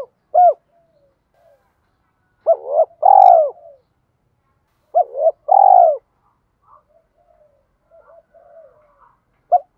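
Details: Spotted dove cooing, 'thổ' voice style, used to train decoy birds to coo all day: an isolated short note, then two phrases of hooked short notes and a long low coo. Soft murmured notes fill the gaps.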